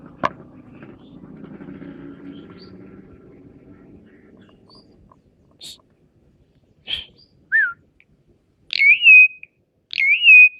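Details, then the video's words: Caged Asian pied starling, a champion songbird, singing in a bird song competition: after a stretch of low rumbling noise, loud clear whistled notes come in short bursts, each rising sharply and then easing down, spaced about a second apart. "Burung Jalak Suren Juara Lomba Lagi Action"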